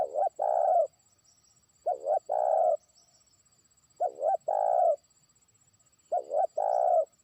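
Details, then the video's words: Spotted dove used as a trained lure bird, calling out to a far-off rival. Four phrases, each a doubled short coo followed by a drawn-out purring croo, repeated roughly every two seconds in stillness. "pikat terkukur) burung ajaran sudah mulai manggil lawan jauh"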